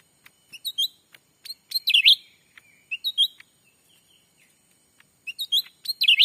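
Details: Lure call of the black-capped bulbul, played in a Sumatran forest to draw in wild birds: clusters of sharp, sweet whistled chirps broken by silent pauses, the last bursts rapid and tumbling.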